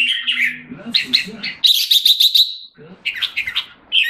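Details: Singapore jambul, a caged red-whiskered bulbul coming back into form, sings warbled notes then a loud buzzy rattling trill of about a second, followed by quieter chattering phrases.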